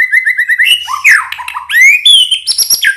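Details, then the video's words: Continuous White-rumped shama song used to draw out other birds' singing: a pulsed steady whistle, a jumble of swooping notes, then clear rising whistles and high ringing tones in quick succession. "Pancingan Murai Batu Gacor FULL isian Sekali dengar langsung Nyaut"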